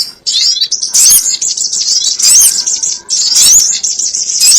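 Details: Trapping lure of sogon birds: continuous shrill twittering with louder chirp bursts roughly every second, crowded overlapping high notes.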